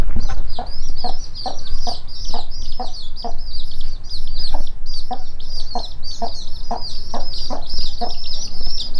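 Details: In a warehouse, a mother hen leads her chicks to food, giving a steady series of short, gruff clucks about every 0.4 seconds while the chicks keep up a constant thin, high peeping chorus.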